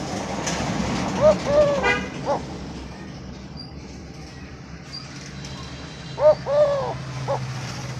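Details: Eurasian collared dove owned by a villager giving two full coo phrases about five seconds apart, each a short note, a longer sustained coo and a brief closing note, over rumbling low mechanical noise.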